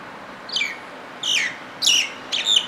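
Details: Common myna song of four loud, harsh, slurred notes spaced about half a second apart, each a raspy downward sweep with a buzzy edge, against quiet background noise.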